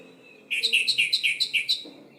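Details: Orange-headed thrush song used as a lure to provoke silent birds into singing: one fast burst of about seven bright, buzzy, rolling notes, canary-like and evenly spaced, after a quiet start.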